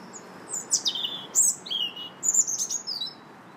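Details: Robin singing in a park on March 2nd: a rich jumble of high sliding whistles and sharp descending notes, varied short phrases tumbling one after another, with steady low background noise.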